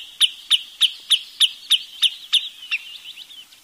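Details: Eight bright, sharp, high notes from a wood sandpiper, evenly spaced about three per second, trailing off into softer, wavering high notes.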